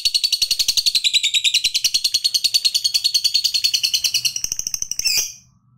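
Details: Long 'ngekek panjang' chatter of a fighter lovebird, played to provoke other lovebirds. A fast, unbroken stream of shrill, regularly pulsed notes runs for about five seconds, then stops abruptly with a brief squeak.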